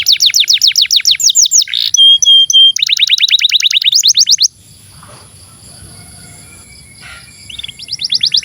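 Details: Canary tutor song for young birds and canaries that stopped singing: fast trills broken by pure level whistles, more trilling, then a quiet stretch before a short trill returns.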